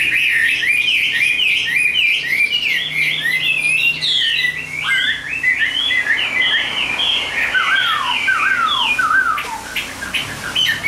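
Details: Captive Chinese hwamei pouring out a long, dense song of varied whistles, rapid up-and-down slurs tumbling together, later shifting to sharper falling notes, steady and loud throughout.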